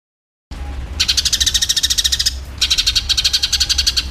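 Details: Eurasian tree sparrow in a fight, used to train songbirds: after half a second of silence, two fast runs of scratchy, pulsing chirps come in quick succession, with a faint low hum beneath.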